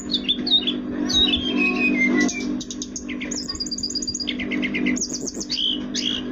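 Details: Orange-headed thrush in lively, energetic song: rapid high whistled notes, sharp chirps and short descending slurs tumbling in quick runs, with a steady low hum underneath.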